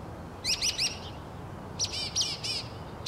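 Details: Northern mockingbird singing two repeated phrases: three quick, sharp, high chirps in a row, a brief pause, then four fuller, ringing chirps of a different kind.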